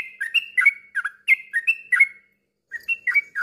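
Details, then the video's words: Yellow-vented bulbul song intended to make other bulbuls sing. Lively, bubbling phrases of liquid whistled notes alternating up and down, a short pause, then the phrase resumes. "kicau suara trucuk bikin gak tenang ini juaranya terapi burung trucukan macet bunyi agar ikut ropel"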